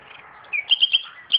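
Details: Common nightingale singing among garden tomatoes: a brief phrase of a clear slurred whistle followed by three loud, evenly spaced notes and a final higher note.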